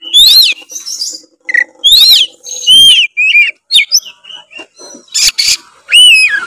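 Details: White-rumped shama in full competition form, singing loud, varied phrases: rich whistled notes that rise and fall, sweeping slurs, sharp harsh bursts and chattering fragments, all separated by short pauses.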